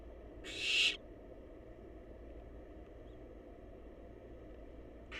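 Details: A loud, raspy hiss lasting under half a second comes from wild barn owl nestlings waiting for food in their nest box. The start of another hiss cuts in right at the end, over a quiet low hum.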